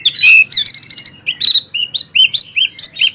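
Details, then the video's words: Short Wambi song phrase from a recording meant for training oriental magpie-robins and others: a buzzy chatter, rapid clicks, then a string of rising and falling whistled notes. "SUARA BURUNG WAMBI PILIHAN SANGAT BAGUS BUAT MASTERAN BURUNG KACER,DAN LAINYA"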